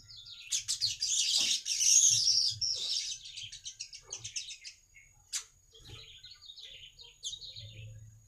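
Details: Baya weaver song used to draw in other weavers: a loud burst of rapid scratchy chatter, then sparser ticking notes and short buzzy phrases, fading and returning, over a faint low hum.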